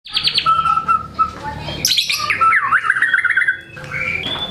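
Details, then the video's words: White-rumped shama in full song, unloading its repertoire of learned material: a quick burst of high notes, steady whistled tones near the middle, then a sweeping rise into a jumbled run of fast trills and chatter. "MURAI GACOR BONGKAR MATERI"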